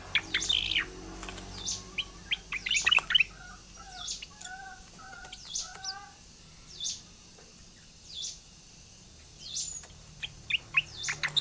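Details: Kept Oriental magpie-robin (Copsychus saularis) in lively rolling song: sharp, high chirps and sweet whistled notes, with a short run of lower paired notes repeated midway.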